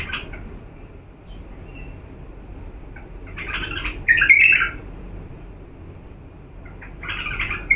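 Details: Song of an authentic Diyala bulbul, meant for teaching chicks to sing: short bursts of bright, slurred warbling separated by quiet pauses of a second or more, over a soft background hiss.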